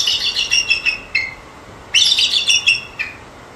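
A bald eagle gives two bursts of thin, high chittering notes, each quick series tumbling down to a lower piping note.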